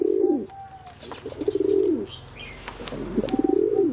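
A pigeon gives low, throaty coos that swell and fall, about one every one and a half seconds, with faint chirps from small birds in the background.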